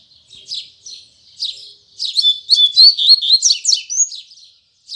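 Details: Double-collared seedeater singing its Tui Tui Zel Zel song in the morning: scratchy high notes, then a rapid run of bright whistled, rising and falling phrases, ending in a brief pause.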